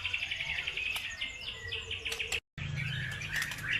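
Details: Bird song used as a pancingan lure to provoke other birds into singing: busy, overlapping chirps and downslurred whistles in a high register, a brief total dropout near the middle, a low rumble underneath.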